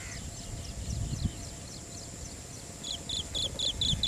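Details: An adult Asian green bee-eater (Merops orientalis) in India gives a rapid string of short, high trilled notes, about five a second, over a low rumble and a thin steady insect hiss.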